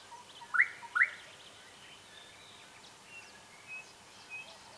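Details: Gorgeous bushshrike calling. Two quick, loud, rising whistled notes come about half a second apart near the start, followed by quiet with faint distant chirps from other birds.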